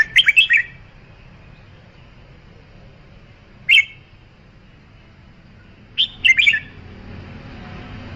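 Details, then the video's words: Red-whiskered bulbul producing a quick cluster of chirpy whistled notes, a lone sharp note a few seconds later, then another burst of warbled phrases; light background hiss rising toward the end. "Tiếng chim chào mào"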